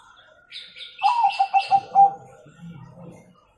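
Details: Zebra dove of the Bangkok type giving its 'kung' song, used to train young birds: a burst of four quick low coos overlapped by higher chirping from another bird, followed by a low hum.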